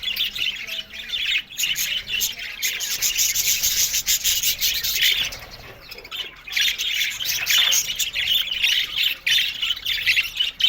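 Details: Many budgerigars in an aviary colony chattering together: dense, scratchy warbles and short squawks packed into an unbroken high-pitched wash, dipping briefly around the middle, with sharp clicks scattered throughout.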